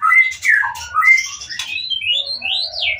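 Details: White-rumped shama singing to goad rival shamas into replying: a few clear whistles and slurred notes, then thin high rising sweeps, over a faint low hum.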